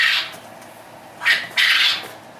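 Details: A quail on a farm crows, giving a harsh, buzzy crow in three bursts, a short one, a brief note, then a longer rasping phrase, against a quiet indoor background.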